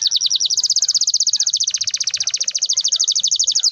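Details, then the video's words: Canary rolling song for training young birds to sing: an unbroken, very even rapid trill of high pulsed notes, about ten per second, sustained throughout. "kenari gacor ngerol panjang ini 100% ampuh buat PANCINGAN KENARI paud belajar bunyi/malas bunyi"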